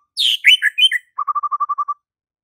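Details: White-rumped shama song used to prompt a silent shama to respond. A brief high burst of falling and rising whistles, then eight quick low notes repeated evenly in under a second.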